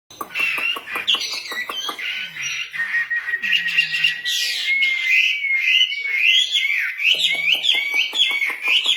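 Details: Female wambi, a caged songbird, singing vigorously: a long run of clear whistled notes around a steady pitch, broken by rapid dry clicking rattles and warbled flourishes, with some rising and falling slurred phrases.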